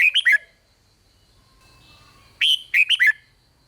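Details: Red-whiskered bulbul singing rik-style phrases to excite other bulbuls: two quick, bright bursts of warbled notes separated by a two-second pause.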